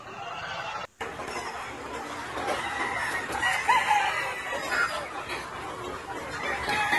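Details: Free-range flock of Vietnamese Gà Nòi game fowl, Gà Tre bantams and crossbred chickens in a wide garden yard; continuous overlapping clucks and cackles, with a brief drop-out near the first second.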